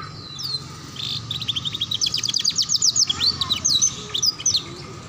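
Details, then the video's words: Ngeriwik canary song used as a master for young canaries: a fast chattering series of repeated high notes, about two per second and quickening, ending in looping whistles over steady hiss. "Pancingan Kenari Paud Belajar Bunyi Ngeriwik || Suara Masteran Kenari Paud"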